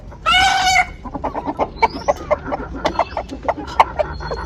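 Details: Chicken in a poultry-keeping setting. A loud, harsh, harmonic squawk lasts about half a second. It is followed by a run of short, soft clucks and clicks, with some background noise.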